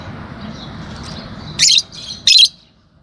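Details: Fischer's lovebirds, a green pair kept as pets, giving two sharp, shrill chirps about two-thirds of a second apart after faint chatter, with a steady low hum behind.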